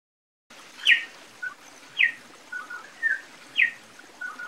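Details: Campo troupial (corrupião) of Brazil in the song style called canto Metralha: short bright chirping notes spaced about a second apart over a steady hiss of background noise.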